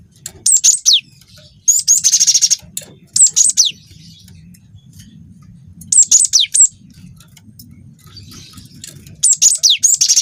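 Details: Cinereous tit youngster giving long rolling song to provoke other birds: whistled downslur groups and buzzy trills repeated about every three seconds, separated by quiet gaps with a low hum.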